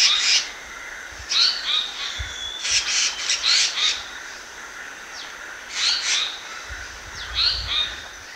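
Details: Black-naped monarch song used as a lure: short harsh, rasping bursts high in pitch, like sawing or filing, given in clusters of two or three with brief pauses between.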